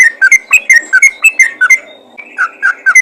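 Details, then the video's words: Brisk yellow-vented bulbul ropel call directed at other bulbuls: quick paired, bubbly whistled notes, a brief lull, then lower slurred notes resume. "panggilan burung trucukan ropel gacor memanggil trucukan lain"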